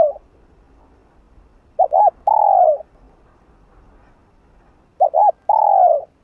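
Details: Spotted dove cooing in the hạp bổi style, a continuous urging call used to stir up other doves; two quick short notes then a long, slightly falling coo, given twice about three seconds apart over a quiet background.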